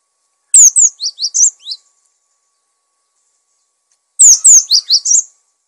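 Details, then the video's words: Lively cinereous tit song for tutoring captive birds: two phrases of high, thin whistles, each a rapid string of about six notes sliding downward, separated by a few seconds of silence. "Gelatik Batu Gacor! Untuk masteran dan pancingan Burung"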